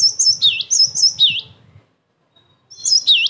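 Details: Cinereous tit song for luring other tits and training: rapid series of high ringing double notes, each group ending in a lower curling whistle, a short silence, then the phrase resumes.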